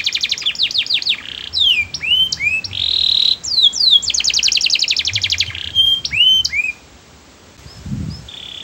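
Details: Canary song, melodious and varied: rapid falling whistles, buzzy rolls and dense trills in quick succession, ending in a short pause and a soft final note over low background noise.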